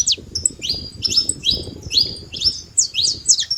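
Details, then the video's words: Wild saffron finch singing free in nature: bright, high chirped notes in short downward-sweeping slurs, given in spaced bursts about every half second, with low rumbling background noise beneath. "canário da terra livre na natureza com belo cantos"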